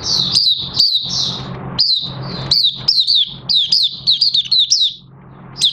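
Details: Oriental white-eye recorded 30 August 2022, starting to sing as its new white feathers finish colouring. Rapid high sliding chirps and twittering phrases in bursts, with brief pauses and a low steady indoor hum underneath.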